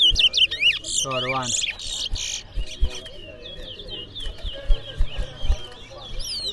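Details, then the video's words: Chestnut-bellied seed finches (towa towa) Saffee and Junior in a singing competition in Berbice. The song is high and quick, with bright chirps and whistled slurs run almost nonstop, and a brief human voice and low knocks near the start. "Towa Towa Bird Singing Competition"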